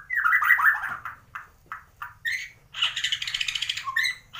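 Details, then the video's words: Bornean white-rumped shama ('gembung') from Kalimantan, Indonesia, a mimic of swiftlet, sparrow and lovebird: a loud, rich warbled phrase, scattered short notes, then a rapid buzzy rattling trill ending in a clear whistle. "MURAI BATU BORNEO / GEMBUNG ISIAN WALET ,GEREJA TARUNG ,LOVEBIRD"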